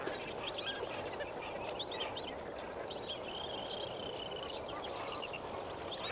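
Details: Lesser flamingos at sunrise at Kamfers Dam, a flock heard together: many short nasal honking and chattering calls overlapping, some drawn-out wavering notes, over a steady broad background roar.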